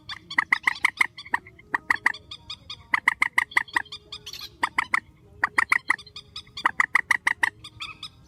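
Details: Grey-headed swamphen giving a strong call, presented as a night bird sound: loud bursts of rapid, harsh honking notes, four to eight per burst, repeated with short gaps over a faint low hum.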